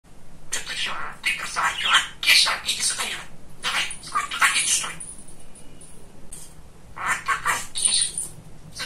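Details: Very talkative male pet budgerigar chattering in rapid, noisy, speech-like bursts broken by short pauses, with a thin high whistle held briefly near the middle.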